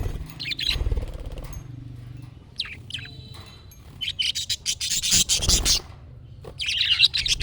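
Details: Budgerigar giving chick-style calling chatter meant to draw replies from other budgies; bursts of scratchy, buzzy warbling in short runs, separated by pauses and a few low thumps.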